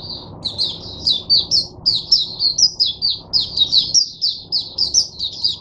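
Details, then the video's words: Captive Oriental white-eye, used as a teacher bird for other white-eyes, pours out a rapid, continuous string of high, thin twittering notes over a faint low hum, 22 January 2022. "Mata Puteh Diva Sunday buka sing teacher bird for my other mata putehs"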